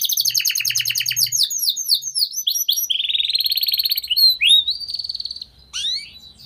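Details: Canary tutor song, gacor and long, for young birds: fast chattering trills give way to a sustained buzzy tour lasting about a second, then scattered high whistles; soft low hum in the background.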